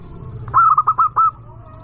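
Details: Local zebra dove, kept for its loud voice and used to lure rivals: a single quick phrase of five bright, stuttered coos, the last note held slightly longer, over a faint low hum.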